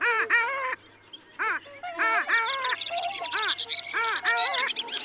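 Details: Long-tailed ducks calling at Liepāja, Latvia, in January 2024: loud nasal yodelling calls with stacked harmonics, arched rising-falling notes in quick overlapping series from several birds, with short gaps of quieter background.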